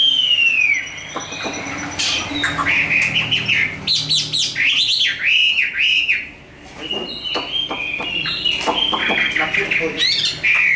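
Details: Hand-raised caged Chinese hwamei in fighting song: loud varied phrases of arched whistled notes repeated in quick series, sharp clicks and buzzy bursts, continuous and energetic.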